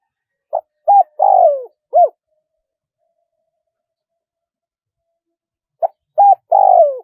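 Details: Spotted dove cooing in the wild-style phrasing called 'karam pa', one-kook crow type: two four-part phrases about five seconds apart, each a short hoot, a clipped coo, a long burry descending coo and a final hooted note, with silence between.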